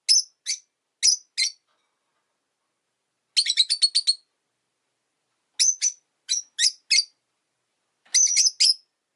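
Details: Pet Rosy-faced lovebirds, five birds in a cage by a window, chirp in doubled high notes, then a quick burst of rattling calls, then more paired chirps and a final short chatter; winter.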